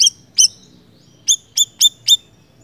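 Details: Siri-siri bird in vocal mood: a pair of high chirps, a short pause, then four quick, sharp, high chirps in a row.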